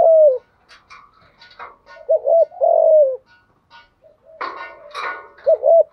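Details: Low hoarse coos of a spotted dove, meant as a lure for wild doves: a falling coo, then a paired coo and a long one, with clattering and rustling noises in between.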